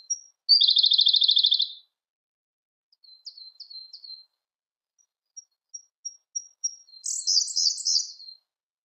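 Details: Siberian blue robin song opening with a loud, fast rattling trill, then soft slurred chirps, an evenly paced series of thin high ticks, and a final rich, tumbling trill.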